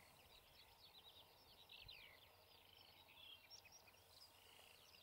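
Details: Distant flock of black-headed gulls feeding on a field at Nowe Potulice, Poland, 2 April 2021, giving a busy, overlapping chatter of harsh, high, squealing calls over steady background hiss.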